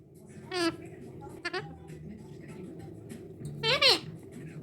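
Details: A pet talking cockatoo gives three short, husky, speech-like utterances, slurred and rising then falling, spaced about a second apart over a low indoor hum.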